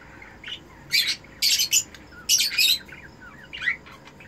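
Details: Captive Eno red-eyed cockatiel breeder pair calling while mating: a few thin rising chirps, then loud harsh, noisy squawk bursts in two clusters near one and two and a half seconds, with a faint steady hum behind.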